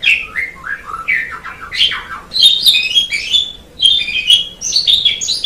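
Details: Asian pied starling song on a tutor recording: descending slurred whistles at first, then higher, scratchy chirping phrases delivered in two loud bursts.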